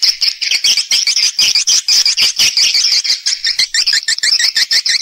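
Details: Swiftlet calling and roosting sounds, clean recording: a quick run of high, buzzy, squeaky chirps, roughly two a second, in a steady chattering rhythm.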